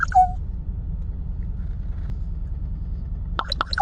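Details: A kept common raven mimicking a diesel locomotive, a new sound praised and rewarded with a treat: a steady, deep, droning rumble like an idling diesel engine throughout, with brief spoken words near the start and end.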